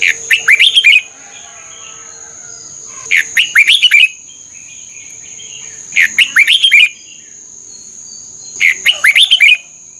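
A Red-whiskered Bulbul sings four bursts of bright, bubbly whistled phrases, about one every three seconds, over a steady high electronic hum.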